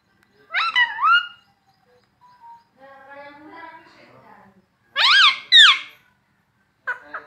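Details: Talking parrot imitating words like mummy and papa: shrill, bending voice-like syllables in brief bursts, with a lower murmur of human speech between them.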